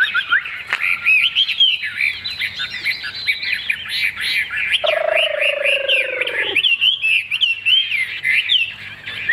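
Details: Caged Chinese hwamei with a large fig-leaf-shaped tail, described as a strong singer. It gives a rich, fast run of varied whistled phrases, slurred and looping. A lower, steady buzzy tone sounds for about two seconds midway.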